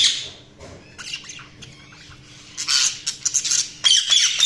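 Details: Budgerigars chattering with scattered short chirps, then livelier scratchy warbling bursts in the second half, closing with harsh squawky notes; low hum behind.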